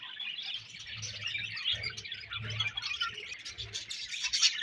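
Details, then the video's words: Soft, steady twittering from a budgerigar colony, many high chirps blending into one chattering wash with a faint low hum beneath. "Budgies Colony Chirping Sounds"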